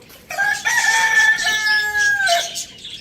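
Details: A pet rooster, kept alongside hens, chicks and budgies, crows loudly: one drawn-out harmonic crow, short rising start, long level middle, then dropping away. Budgies chatter faintly behind it.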